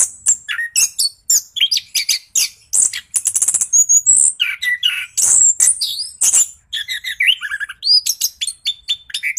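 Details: Rolling 'ngeroll' song of an orange-headed thrush, played as a lure to make silent birds answer: dense stream of sharp high notes, slurred whistles and trills, with short gaps.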